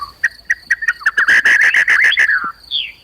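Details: White-rumped shama (murai batu) with fighting-type song. Spaced short chips quicken into a loud, harsh, rattling run lasting over a second. A single upswept whistle closes the phrase over a steady high tone.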